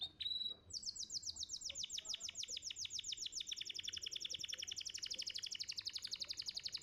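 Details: Young canary song used as training audio to make canaries sing quickly and trill: a brief whistle, then a long fast trill of rapidly repeated downward-sweeping notes, shifting slightly in pitch, about three or four notes per second.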